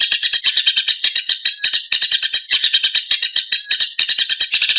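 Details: Fighting Eurasian tree sparrows, kept as songbird training material, give bursts of rapid, harsh, high chirping. The bursts break off for a moment twice before the frantic chatter resumes at full strength.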